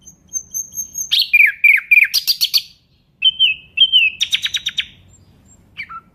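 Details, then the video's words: Nightingale singing: a thin high whistle held steady, then rapid slurred notes, buzzy clicking bursts, a pause, and repeated rising whistles ending in one falling note. "Nightingale bird singing Beautiful"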